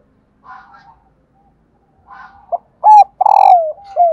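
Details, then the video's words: Female spotted dove call, used to prompt silent decoy males to coo: soft buzzy murmurs, then a clipped note, a strong coo, a long rolling coo sliding downward and a final short coo. "Tiếng cu mái"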